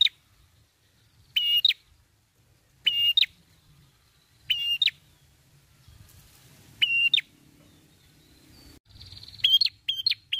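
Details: Red-headed prinia lure song in 'gacor ngalun' style: single or doubled sharp whistled notes spaced about one and a half seconds apart, then a quick run of three notes at the end, over faint low rumble.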